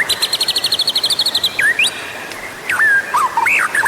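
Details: White-rumped shama song used to set other birds singing: a rapid, high, buzzy rattle of repeated notes, then loud swooping whistles, dipping and rising slurs, against a constant hiss.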